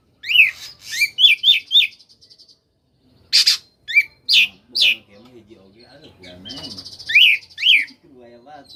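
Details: Oriental magpie-robin in koslet style, used to provoke silent magpie-robins into answering. Rapid repeated slurred whistles give way after a pause to sharp strokes, buzzy trills and a soft, low warbling.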